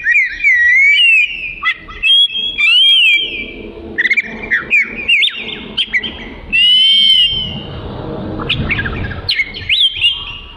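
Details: Oriental magpie-robin song: a varied run of clear whistles, slurred up-and-down notes and short bursts, loud and close, with brief gaps and a faint rustling background.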